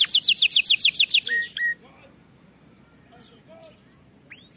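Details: Canary singing for training canaries to sing, a brief run of rapid falling chirps and two whistled notes, then near quiet with faint soft calls.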